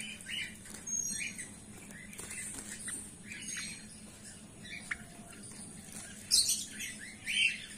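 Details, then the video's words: Golden finches in a colony give scattered high, twittering chirps, with a brighter burst of tinkling notes near the end, over a steady low hum. "golden finch bird | lady golden finch"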